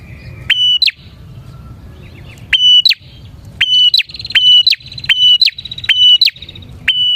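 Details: Bar-winged prinia singing vigorously as prinia-trapping lure: a quick run of high, steady tones, each ending in a sharp rising flick, coming faster in the second half, over a low background rumble.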